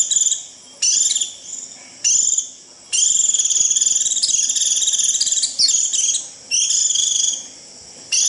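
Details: Japanese white-eye calling the flock in the 'rít' style: short shrill trilled bursts at first, then a long continuous rapid buzzy trill with a few squeaky inflections, followed by shorter bursts.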